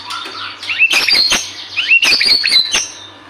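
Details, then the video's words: White-rumped shama singing vigorously, used to prompt other birds to sing: harsh, explosive scratchy notes mixed with brief clear whistles, in two dense bursts about a second apart. "Pancingan murai batu gacor 🔥 Burung auto bunyi"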